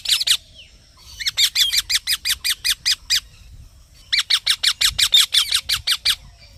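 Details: Green parrot giving loud, even runs of clipped squawking chirps, roughly three per second, in two long series separated by a short lull.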